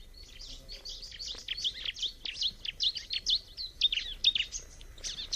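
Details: Bar-winged prinia giving a fast, uneven stream of high, thin chirps and twitters, about two per second, continuing without pause over a faint low background rumble.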